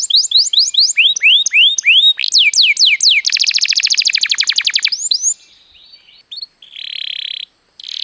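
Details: Canary song used as a lure to get other birds singing: bright rising whistled sweeps repeated in quick series, then a fast buzzy trill of rapid notes, ending with short scattered chirps and a brief harsh buzz.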